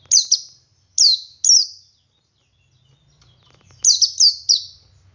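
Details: Male Oriental white-eye in ngalas song style, singing to prompt other white-eyes to join in: two clusters of three high, thin, downslurred whistled notes separated by a pause, with a faint low hum beneath.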